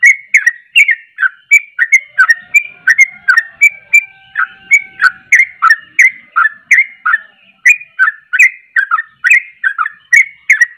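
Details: Lively sooty-headed bulbul song meant to provoke other bulbuls: quick, chattering run of short whistled, down-slurred notes, roughly three per second, carried on without pause and unevenly spaced.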